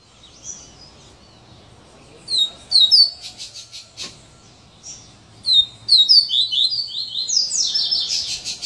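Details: Double-collared Seedeater singing the "chainsaw" song type: high, sharp whistled slurs mixed with rapid buzzy, rasping bursts, building into a dense, sawing run near the end.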